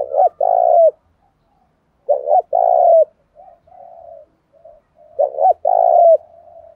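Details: Three loud spotted dove coo phrases in the 'giọng thổ' challenge style used to lure wild birds, each two quick notes then a long falling coo, spaced about two and a half seconds apart, with softer cooing between.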